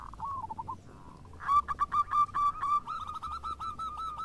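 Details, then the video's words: Local zebra doves in full song, answering each other: after a soft, faint opening phrase, a loud, rapid run of clipped, bouncy cooing notes repeats about four times a second, with a second bird's phrase overlapping near the end. "PERKUTUT JADI RAMAI SALING SAHUT !! (Perkutut lokal gacor)"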